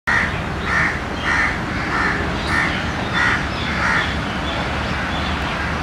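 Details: Crow giving a run of about seven harsh, hoarse caws, one every half second or so, over a steady low rumble, as an Indian palm squirrel hurriedly eats roti, frightened by the crow's sound.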